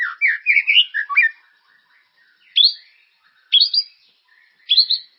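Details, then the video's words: White-rumped shama song used to stimulate caged birds to sing: a rich burst of rapid whistled and chattering phrases, then three short rising whistled bursts spaced about a second apart, with clear pauses between. "Suara pancingan burung murai ❗gacor dan berkarakter"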